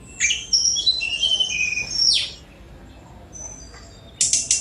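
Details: Sunda robin (tledekan gunung) singing a long, high, descending warbled phrase, then quiet thin notes and a final series of sharp clicking chips.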